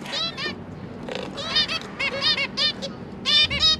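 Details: Zebra finch parents feeding three newly hatched juveniles that have left the nest; loud, rapid runs of nasal, buzzy harmonic chirps, several overlapping, in irregular bursts nearly once a second, over a low background hum.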